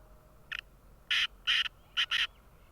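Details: Black francolin, called kala tetar or falgi tetar, giving short harsh grating notes in a broken sequence: one brief note, then two longer rasping bursts, then a quick paired ending, over quiet background.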